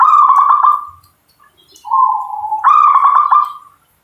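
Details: Local zebra dove singing a trilled, stuttering phrase, pausing, then a smooth low coo that jumps up into another fast rolling trill; background nearly silent.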